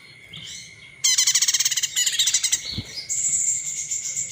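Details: Olive-backed tailorbird call played to provoke other birds into song: a sudden loud burst of rapid, evenly repeated sharp notes, about fifteen in a second, a second stuttering run, then a sustained high buzzy note.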